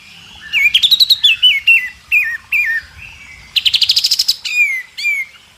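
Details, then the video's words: Shama tutoring song for young birds learning to sing: stepped rising and falling whistles, quick repeated chips, a fast rattling burst of high notes, then descending whistles. "masteran murai batu isian terbaik buat jurii"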